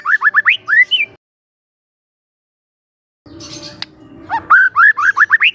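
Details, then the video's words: Young wild White-rumped shama singing, used to train other birds: rapid series of rising whistled slurs and sharp ticks, a pause, then the rising notes resume loudly. "PANCINGAN SANTAI MURAI MUDA HUTAN"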